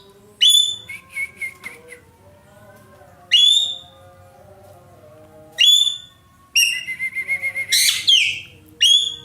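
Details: Indonesian ekek keling, a roller kept by songbird hobbyists for its loud song, mixing single harsh falling notes with a quick stuttering chatter of rapid clipped notes, over faint background whistles from other birds.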